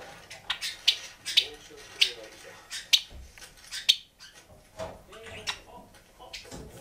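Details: A male cinnamon Java sparrow sings sharp, bell-like clicks about every half second to second, woven with soft whining, warbled notes, while other Java sparrows sing along in the background.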